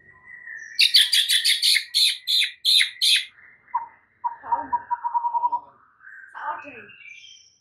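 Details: Oriental magpie-robin masteran track with full isian, meant to make other magpie-robins reply: a thin whistle, then loud harsh rhythmic notes, then a rapid low chattering series and a final scratchy phrase.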